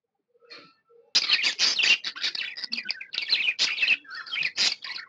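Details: Happy pet budgerigar starts softly, then breaks into loud continuous chattering, rapid buzzy warbles and squeaky chirps mixed with short rising whistles.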